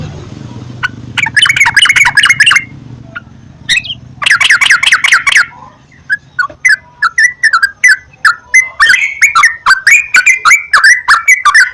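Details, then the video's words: Yellow-vented bulbul (trucukan) lure song, played as therapy morning, noon and night to make a bulbul sing eagerly; bursts of bubbly, chattering notes, then a run of short warbled phrases with quick rising and falling whistles. "PANCINGAN BURUNG TRUCUKAN TERAPI PAGI,SIANG,MALAM,AGAR TRUCUKAN RAJIN GACOR"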